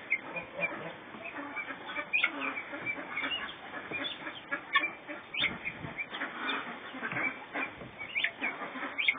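Guineafowl give harsh, grating calls in a steady chattering stream, several birds calling over one another.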